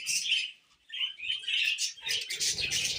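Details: Brief run of budgerigar chirping: squeaky high notes and fast twitters, a moment's gap, then renewed chatter over low rustling.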